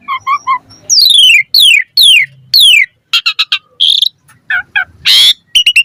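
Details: Mompa-style Asian pied starling song, full variation, recorded as a lure for kept starlings: short stacked notes, then loud steeply descending whistles, clicks and buzzy bursts in a varied jumble.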